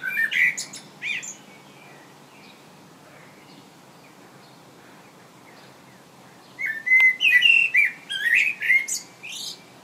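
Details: Common blackbird perched and singing in England; two phrases separated by about five seconds of quiet, each a low mellow fluty warble breaking into high, squeaky twittering notes, the second phrase longer and richer.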